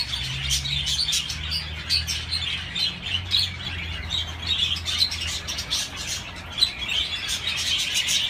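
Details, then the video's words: Budgerigar chirping, constant high squeaky chatter and warbled twitters from several birds, with a low steady droning hum running underneath. "تغريد طيور الحب البادجي"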